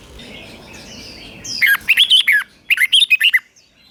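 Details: Thai red-whiskered bulbul in the southern master singing style, used to stir caged birds: after a soft murmuring start, two crisp runs of about six warbled notes, bouncing up and down.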